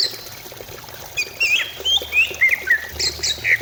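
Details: Greater green leafbird song played as a lure to prompt singing. Short, scattered, slurred whistles and chips alternate at middle and high pitch, fairly quiet against a steady background hiss.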